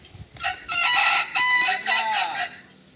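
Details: Kukuak Balenggek rooster at a joint training session in Ampang Kualo, Kota Solok, giving a loud, bright crow broken into several connected segments over about two seconds, after a brief low noise.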